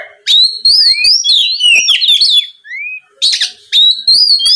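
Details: Oriental magpie-robin ngeplong song aimed at stirring rivals to reply: fast sequence of loud, clear whistles and downward slurs, a short gap, then renewed bright phrases.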